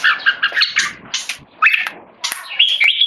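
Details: Red-whiskered bulbul, a tame male tested on how he handles the stress of people disturbing him, uttering harsh chattering keke notes in short bursts separated by quiet gaps, some rising steeply.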